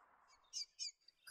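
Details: Noisy miner near Lake Apex, Gatton, Lockyer Valley: two quick, harsh, high notes about a quarter-second apart, an alarm call indicating a bird of prey nearby, over a faint low background hum.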